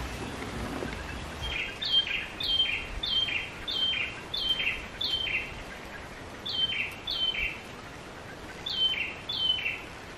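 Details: Yellow-vented bulbuls calling increasingly aggressively near their hidden nest as an observer approaches: sharp, high two-note calls, each dropping in pitch, repeated about every half second in short bursts over faint hiss.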